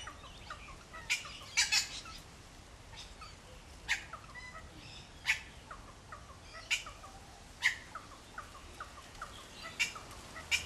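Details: Backyard Wattlebirds calling to chase off a Kookaburra near their nest, two metres away; frequent loud, grating squawks every second or two, mixed with faint thin whistled notes.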